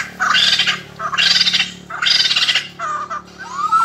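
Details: Captive white-crested laughingthrush during 2020 song training: three loud, harsh chattering bursts about a second apart, then short whistled notes and a rising whistle at the end.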